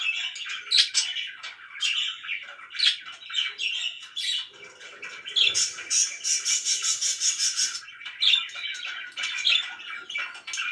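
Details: Loud pet budgies chattering nonstop, a busy stream of buzzy warbling notes broken by bright squeaky chirps roughly every second or two, with a rapid rattling trill in the middle.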